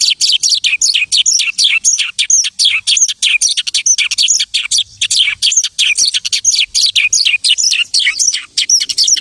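A lark pours out a fast, unbroken stream of high chirps, trills and twittering notes, several each second, borrowing phrases from other birds' songs.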